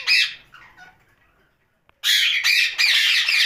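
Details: Pet ringneck parakeet at night, giving harsh squawks: one loud burst, a second of quiet, then a run of raspy, broadband screeches in quick succession.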